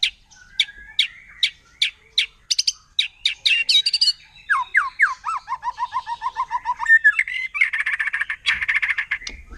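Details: Wild white-rumped shama from forest, song meant to provoke rival shamas: spaced sharp whistled notes, then fast rolling trills sliding downward and a harsh buzzy burst at the end.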